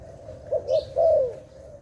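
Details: Dove filmed during bird trapping gives three short, low coo notes, the last one longer and slightly falling, over a quiet background hum.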